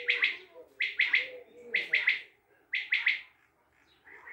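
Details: Common quail from Tajikistan repeating a brisk, bright three-syllable call roughly every second over a faint low hum.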